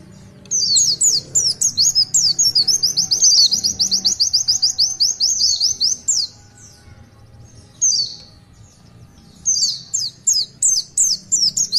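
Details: Pleci, the Oriental white-eye, a master singer giving a long 'tulitwitwit' song: a rapid rattling run of high sweeping notes for several seconds, a pause, then further bursts of descending whistles.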